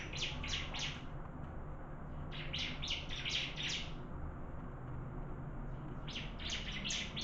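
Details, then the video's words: Bar-winged prinia singing during a contest, with three clusters of fast, ringing chip notes separated by short silences, over a steady low hum. "Burung Ciblek Adu Suara"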